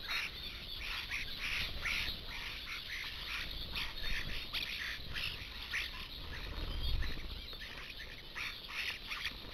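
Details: Flock of about 70 common starlings at a garden feeding station, crowding for too few perches while others sit in surrounding trees; continuous dense, overlapping harsh chattering and squawky notes, with a low rumbling background.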